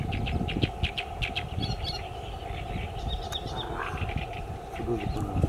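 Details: Great reed warbler singing in Mures Floodplain Natural Park: harsh, grating notes in quick repeated bursts, then creaky squeaks, over heavy low rumble and a steady hum.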